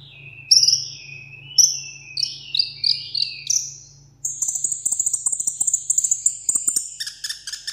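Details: Caged sunbird singing solo in a contest: sweet descending whistles at first over a low hum, then a rapid run of very high, evenly spaced sharp notes, ending with buzzy trills.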